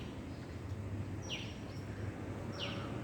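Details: Hummingbirds give two quick, high, downward-sliding chips about a second apart, set against a constant low rumbling background.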